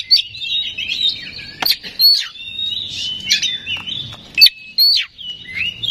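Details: Oriental magpie-robin (kacer) lure song to prompt a bird to sing: drawn-out high whistles broken by sharp clicking notes and short scratchy bursts, fairly sparse and clean.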